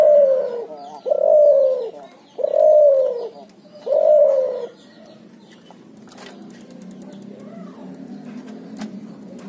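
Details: Cuhu, a Barbary dove and spotted dove hybrid, giving four loud, rounded coos about every second and a half, each slightly arched and falling, then quiet low murmuring with faint clicks and knocks.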